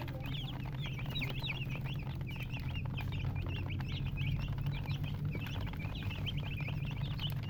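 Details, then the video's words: A brood of chicks chirping nonstop, many high bending peeps piling up in lively clusters, steady low drone behind them. "MURGI Baby "Chicks Chirping" Sound"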